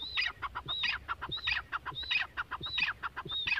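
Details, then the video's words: Female grey francolin (teetar) heard at moderate distance, repeating a rhythmic phrase about every 0.6 seconds: a high rising-falling whistle followed by several harsh, clipped notes, over a low background rumble. "teetar ki awaaz || GREY francolin voice || Grey francolin female voice"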